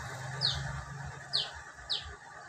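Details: Caged female lesser racket-tailed drongo in wild ngalas song: three short, high, downward-sweeping notes spaced about half a second apart, over a low humming background.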